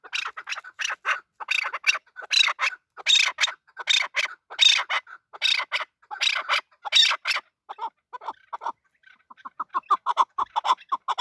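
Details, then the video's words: Male chukar partridge: about seven seconds of rough, raspy squawks in rapid groups, then after a short pause a run of softer, evenly spaced mid-pitched chucks. "Male chakor voice"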